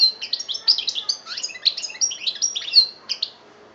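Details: Continuous goldfinch song from Algeria, 2013: bright, tinkling, high-pitched notes tumble quickly with scratchy twitters and short rising slurs, then fade out in the last half second.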